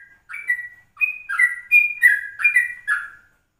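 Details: Yellow-vented bulbul recorded at 04:30 in the morning to lure other birds: clear, slurred whistles, some held and level, others dipping, delivered in a tight bubbling sequence of about seven notes.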